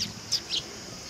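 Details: Three short, sharp high chirps from sparrows coming to be fed at a Tenmangu shrine, 18 August 2020, spaced about a quarter second apart over a quiet background.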